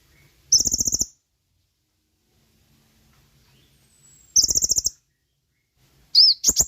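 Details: Sooty-headed bulbul song used as a lure for training caged birds: two bursts of rapid, very high, trilled notes about a second long, separated by silence, then a quick upslurred whistle at the end.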